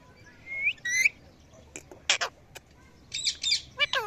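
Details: Evening calling from parrots, mixing rising whistled notes with rasping squawks and short sharp clicks, several calls in quick succession.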